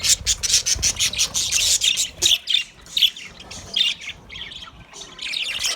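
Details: White budgies give quick, irregular bursts of scratchy chirps and squawks, about one every second at first, then a looser, softer warbling chatter.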